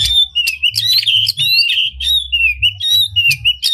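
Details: Oriental magpie-robin singing with its tail spread, a song used as a lure to rouse other magpie-robins into singing: a rapid, varied run of clear whistles, slurred rising and falling notes and sharp chips, with a low hum beneath.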